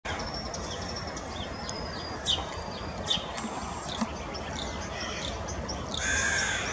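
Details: A common starling, recorded on 23 May 2023, gives scattered harsh, grating notes and short clicks ending in a longer rasping call, over a steady hiss of background noise.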